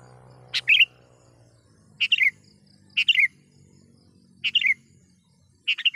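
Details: Sooty-headed bulbul calling a rival, lure call for wild birds: five short bubbly phrases about a second apart, a sharp click then a tumbling descending warble, over a low rumbling hum.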